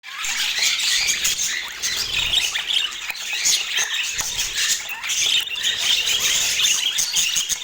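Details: Budgerigars kept as hobby birds, a flock chattering continuously with dense, overlapping warbles, squawks and chirps in a high, busy wash of sound, with no pauses and scattered soft clicks.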